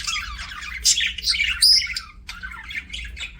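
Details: Budgie chirping indoors: a rapid run of harsh, buzzy chatter and squawks with a few sharp whistled notes around the middle, against a soft low hum.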